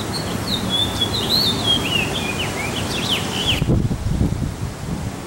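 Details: House finch singing: a fast, warbling run of high twittering and slurred notes lasting about three seconds, over a steady loud rumbling background noise.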